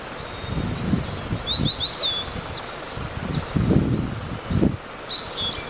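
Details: Wild blue-and-white flycatcher calling: a quick run of high, sweet whistled notes near the middle, then a lone short chirp near the end, with leaf rustling and low knocks throughout.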